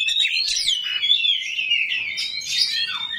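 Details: 'Kacer rawit' oriental magpie-robin giving a coarse 'isian kasar' fill-in to set other magpie-robins singing back: an unbroken rapid warble of gliding high notes, swelling in loudness near the start and end.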